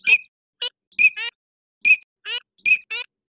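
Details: Eurasian teal in winter: crisp, high whistled 'krik' notes, each answered by a downward-sliding, nasal, buzzy squeak, pairs repeated several times within a few seconds.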